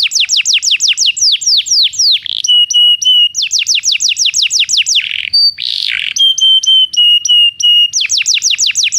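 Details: Belgian canary song meant to train non-singing canaries: bursts of rapid descending whistles alternating with steady level tones and short buzzy rattles, varied and continuous for nine seconds.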